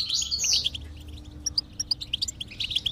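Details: Short goldfinch song burst played to stimulate a silent goldfinch: an opening buzzy twitter, then evenly spaced bright, high chirps, over a low steady hum.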